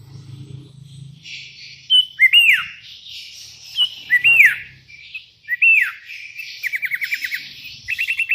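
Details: Sooty-headed bulbul calling rivals, with wild bulbuls answering: three bright, slurred notes that rise and then fall, spaced about two seconds apart, followed by quick dry rattling trills over a soft, hazy background.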